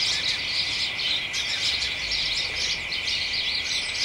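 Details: A flock of house sparrows with other birds chatters in a garden hedge on an early December late afternoon, many sharp tweets layered into an unbroken twittering mass with a faint steady whine below.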